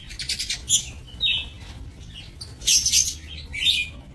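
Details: Several lovebirds calling in an aviary, 7 June 2024: rapid raspy chatter alternating with shorter thin squeaky notes, irregular bursts throughout.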